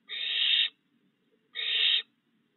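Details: Barn owl at night on 22 June 2022 in a yard with a lit perch, where three fledged owlets are still fed by their father; two harsh, hissing screeches, each about half a second long, separated by a one-second pause, with no other sounds.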